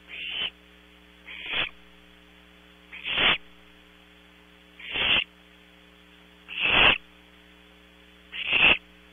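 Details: Barn owl owlets at night in a nest box at Audubon Starr Ranch, California, giving harsh, rasping hisses about every one and a half to two seconds over a steady electrical hum.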